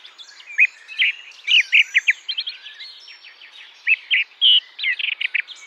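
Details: A song thrush sings from an ash tree at a field edge in the British countryside on an early-summer dawn, calling for a mate and claiming territory, with bright, varied phrases, some notes repeated two or three times, over a busy dawn chorus.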